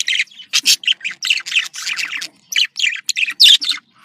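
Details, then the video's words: Budgerigar contact calls, described as happy: dense bursts of bright, scratchy chirps and squeaks in quick succession, with few pauses. "Voz decomunicación.de loro australiano /sonido de llamada de periquito / se sentirá feliz"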